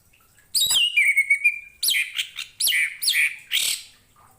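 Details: Orange-headed thrush song used as a tutor recording for training other cage birds: a long steady whistled note near the start, then bursts of rich, varied descending phrases with sharp high notes, fairly loud and clear.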